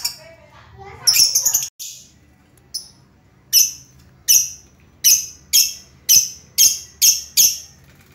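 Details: A lovebird repeats sharp, high squeaky chirps roughly twice a second after a short jumble of softer sounds at the start. The bird is described as always cheerful, with a distinctive voice.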